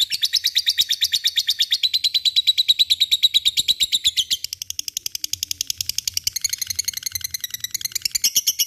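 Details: Lovebird ngekek, meant to encourage lazy lovebirds to sing: a fast, unbroken chain of high, harsh ticking notes, easing in loudness midway, then rising in pitch toward the close.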